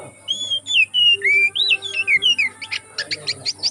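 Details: Forest kacer, oriental magpie-robin, singing as a training lure: rapid run of clear whistles, slurred up and down notes, then a string of short sharp chips about four per second.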